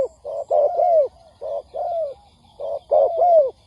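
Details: Spotted dove call used as a lure to draw wild doves in for trapping; low hollow coos in groups of two or three, each ending in a longer note that slides downward, with short quiet gaps between phrases.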